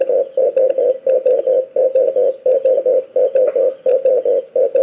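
Red collared dove giving low, rough cooing notes in quick clusters of two or three, repeated steadily over a constant high, thin hiss, possibly insects.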